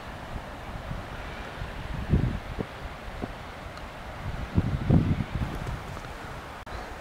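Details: Gusty wind buffets the microphone on Ameland, with low rumbling surges around the second and fifth seconds and no animal voice.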